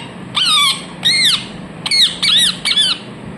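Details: Pet ringneck (rose-ringed) parakeet indoors gives five harsh, screechy squawks in quick succession, each rising then falling in a short arc, over a faint indoor hum.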